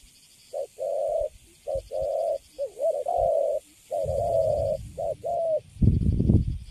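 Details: Caged spotted dove cooing calmly after capture: a series of low, mellow coos in short bursts with brief pauses, some phrases wavering, ending with a rustling handling noise and low background rumble.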